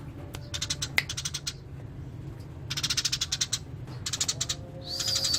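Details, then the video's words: Eurasian tree sparrow singing in quick clustered runs of harsh chirps, separated by short pauses, ending in a thin high whistled note, over a low hum. "Burung gereja gacor master alami"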